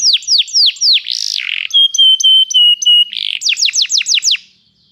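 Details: Canary song used to train another canary to sing: repeated steeply falling whistled notes, a buzzy burst, then a run of steady high whistled notes, before another series of quick descending sweeps.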